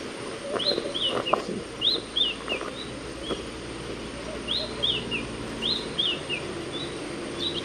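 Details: Wild shining sunbird recorded in its desert habitat, arid scrub of Africa or the Arabian Peninsula. Quick groups of high, downward-slurred chirps, each cluster of several notes, with short pauses between bursts over faint ambient hiss.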